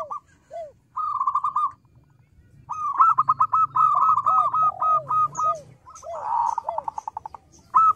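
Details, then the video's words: Local zebra dove singing actively, its small but loud voice making others respond: stuttering bursts of rapid coos with lower curved notes, a harsh buzzy interruption near the end, and faint low hum. "Perkutut lokal gacor suara kecil lantang keren banget bikin nyaut."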